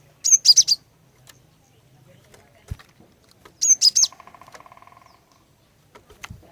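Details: Female cinereous tit used to lure males into singing, giving two short high phrases of three or four sharp chirps about three seconds apart. A fast run of lower pulsed ticks follows the second phrase.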